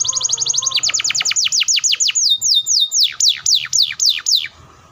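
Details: Canary long speedy roll meant to make other canaries sing: a very fast trill of short falling notes, slowing into broader descending whistled sweeps before fading out.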